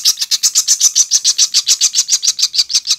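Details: Chimney swift nestlings calling together: a fast, regular run of shrill, high chattering notes, roughly three or four per second, with no other sounds.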